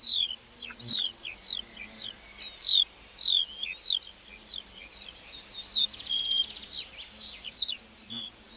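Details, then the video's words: ['Lark singing in a meadow: high, quick downslurred whistles and chirps repeated in a loose, uneven run, with short gaps between bursts and a faint low hum beneath.'] "Singing lark in the meadow"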